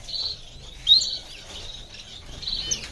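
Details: Diamond firetail, a finch, giving high, thin chirps in short bursts near the start and end, with a sharp brighter note around one second and a quiet hiss between.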